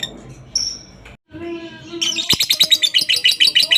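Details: Lovebird ngekek, played as a lure to get other lovebirds singing. Faint squeaks and a brief high whistle are followed by a sudden burst of quick, shrill, evenly pulsed chattering notes, about three per second, growing louder to the end.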